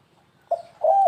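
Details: Spotted dove lure call in the stuttering 'kuk3 gagap' style, used to attract other birds: two low, hollow coo notes, a short one followed by a longer, steadier one, against a quiet background.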